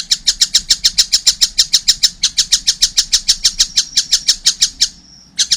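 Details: Young collared kingfisher, a fledgling already calling vigorously: rapid harsh chattering notes repeated about three per second in a long steady series, a brief pause near the end before the series resumes; faint low hum underneath.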